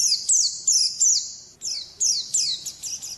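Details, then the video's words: Oriental white-eye, a wild-type ngalas-style song, delivered as high, thin descending whistled slurs in quick bursts of two to four notes, with a short pause midway before the phrases resume. "Suara Burung Pleci Ngalas Burung Kacamata Durasi Panjang"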